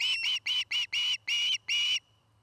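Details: At a nest in Charlo, Montana, an osprey gives six loud, drawn-out whistled notes, evenly spaced and slightly downslurred, then falls silent.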